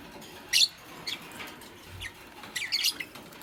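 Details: Fischer's lovebirds, a green bird with a pastel one, busy making a nest: a few sharp, high chirps in short clusters about half a second to a second apart, over a quiet background hiss.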